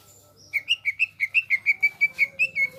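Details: Greater green leafbird singing: after a quiet start, a rapid series of about fourteen bright whistled notes, evenly spaced and slightly rising and falling in pitch, delivered over two seconds.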